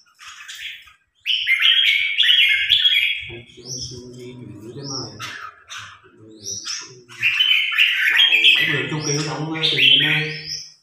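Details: Red-whiskered bulbul in a trial bout with a top provincial bulbul: repeated loud warbled phrases and high upslurred whistles, overlapping with men talking in the background.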